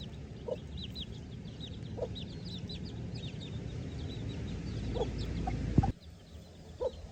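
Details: Tiny farm chicks scratching in the grass and searching for food on their own; a flurry of high, slurred peeps, with a few lower clucking notes and a sharp knock partway through.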